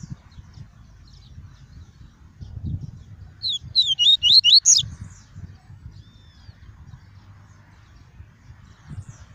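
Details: Caged double-collared seedeater singing the pure tuí tuí song style, used to warm up birds and teach young ones: a single quick phrase of about six slurred, whistled notes near the middle, otherwise quiet with low background rumble.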